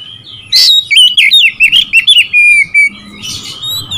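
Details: Oriental magpie-robin singing to provoke rival birds: a burst of loud, varied whistled phrases with quick sliding notes and short trills, running for over two seconds, then fading into softer notes over a low background hum.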